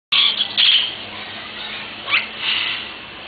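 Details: Yellow-rumped Cacique (Cacicus cela) giving harsh, scratchy high notes, then a quick slurred note and a final rasping burst.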